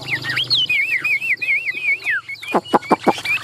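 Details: Caged Chinese hwamei, a hand-carried bird from Vĩnh Thuận in Vietnam, with spread tail and raised wings, singing varied loud whistled phrases that wobble up and down, then a run of sharp rapid downward notes near the end.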